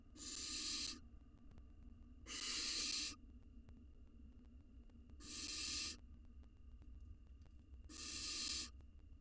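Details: Wild barn owl nestling in a nest box, hungry and eating a mouse, giving four harsh, breathy hissing screeches of about one second each, spaced roughly every two and a half seconds, with low background rumble.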